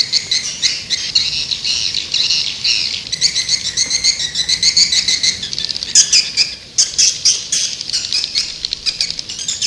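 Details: Swiftlet calls to lure birds: continuous high, buzzy chattering made of quick pulsed chirps, rising and falling in bursts.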